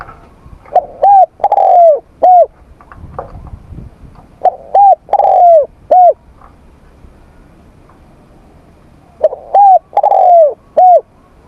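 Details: Spotted dove training its voice in the morning, giving three repeated phrases of two short coos and a long falling coo, separated by pauses of several seconds.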